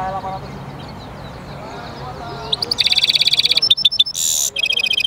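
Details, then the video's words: European goldfinch mule singing; a quiet, low start gives way after two and a half seconds to loud, fast rattling trills and high buzzy notes, then a sharp tinkling phrase. "European Goldfinch mule singing"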